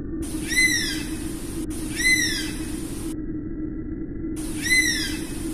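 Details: Oriental honey buzzard giving three clear, downward-curving whistled calls with bright overtones, each about half a second long and spaced roughly every two seconds, over a steady low hum.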